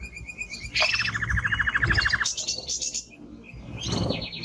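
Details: Male timbrado canary giving strong song: a high pulsed note, then a fast even rolling trill of about twenty beats, a buzzy high passage, and a final rapid trill, over low background rumble.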